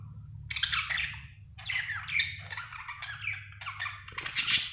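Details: Pet budgerigar chattering in rough, grating chirps and squawky warbles, delivered in several separate bursts, with a low background hum throughout.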